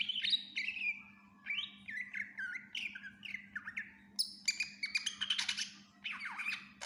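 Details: Greater green leafbird song: descending whistled notes in a run, then harsh buzzy chattering bursts and sharp high chips, varied and energetic, with a faint low hum throughout.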